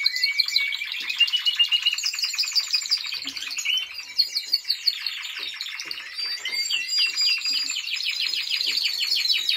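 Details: A Timbrado Español canary under training delivers rapid clicking trills and bell-like rolls, with brief pulsed bursts near the middle before a sustained fast rattle returns.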